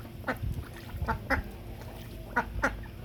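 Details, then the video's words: A duck playing with water gives loud calls: five short, harsh quacks in two bursts over about three seconds, with low rumbling noise underneath. "Duck plays with water and makes loud noises"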